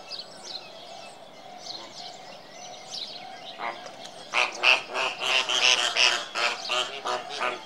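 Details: Flamingo honking: a low crowd murmur gives way to a loud series of nasal, trumpeting honks in quick succession, several per second, over continuous background chatter.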